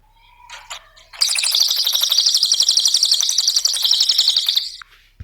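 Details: Used to coax other birds into singing, a cililin delivers a sustained, rapid, buzzy high trill of regularly repeated notes for about three and a half seconds after a few soft introductory chips.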